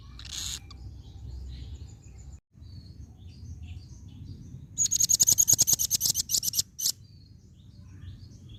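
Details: Female velvet-fronted nuthatch: a brief high note, then a fast, dry series of sharp, very high chips, about three per second at first and quickening, above low background rumble.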